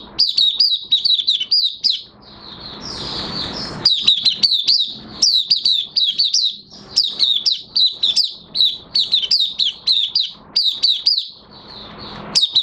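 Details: Caged Oriental white-eye in light moult pours out long sequences of fast, high-pitched twittering, downslurred chirps packed in bursts of one to two seconds with brief pauses between.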